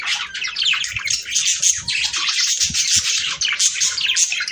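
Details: Several budgerigars warbling, intended to encourage breeding: busy high-pitched twitter of quick chirps and trills, with faint low knocks underneath.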